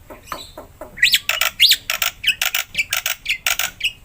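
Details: Energetic black-winged myna song meant to get a quiet myna singing: a dense string of loud, harsh, rasping notes with swooping whistled slurs, delivered about four times per second.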